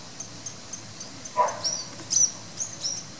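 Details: Masked water tyrant (Fluvicola nengeta) at the Jardim Botânico, Rio de Janeiro, Brazil, giving sharp, thin high notes, four in about a second and a half, over soft rapid ticking and one lower, broader burst.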